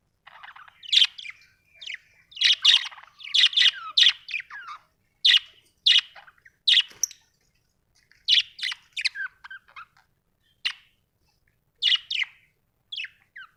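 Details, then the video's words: Budgie giving a long, irregular series of sharp chirps and scratchy twitters, some in quick clusters, others isolated, with short silences between groups. "Australian beautiful birds sound 😍 budgie chirping sound 🥰"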